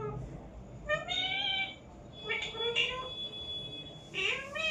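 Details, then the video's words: Parrot giving three drawn-out, harmonic, meow-like calls, each about a second long with a rising or arching tone, spaced about 1.5 seconds apart, over a low steady background hum. "parrot sound"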